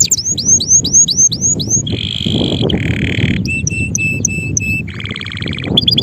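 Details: Singing male canary: a row of upswept notes, then buzzy trills at shifting pitches, clipped repeated notes and a lower rolling trill.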